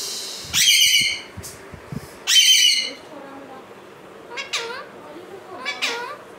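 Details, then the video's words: Caged Alexandrine parakeet pair, male and female; two loud harsh squawks rich in harmonics, followed by three shorter, softer downward-sliding calls, with quiet indoor background. "Talking parrot mithu mithu voice 🦜😍|| Alexander male female Parrot"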